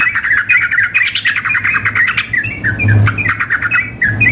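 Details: Contest-style recording of sooty-headed bulbuls, a female calling a male: rapid chirps and short whistled phrases packed closely, fading slightly toward the end, with a low hum present.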